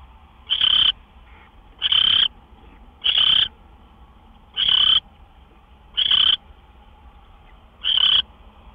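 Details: At the nest around midnight on March 26, 2013, with gophers brought in as prey, owls give six raspy, hissing screeches, each about half a second long and roughly a second and a half apart, over faint background hum.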